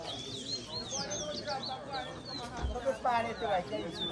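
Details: Guyanese twa-twa (chestnut-bellied seed finch) in a singing race at New Amsterdam, Berbice; high slurred whistles and short chirps, irregularly spaced, with people talking nearby and a dull thump near the middle.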